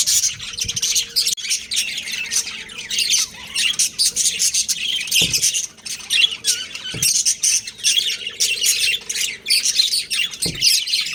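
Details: Breeding pair of budgerigars kept at home, giving harsh squawks mixed with fast high chirps in a steady chatter, with a few brief knocks.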